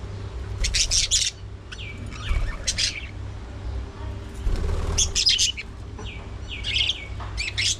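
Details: Several budgerigars at early morning feeding time trade harsh, buzzy chattering bursts and slurred downward whistles, in irregular clusters about every second or two, against a persistent low mechanical hum.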